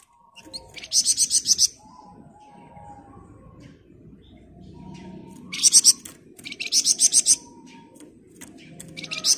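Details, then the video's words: Master-training recording of a flamboyan (golden-bellied gerygone) in close-packed ngebren song: three bursts of fast, high, buzzy pulses separated by quieter gaps with thin low whistles and a soft background murmur. "Burung Flamboyan Gacor Ngebren Rapat"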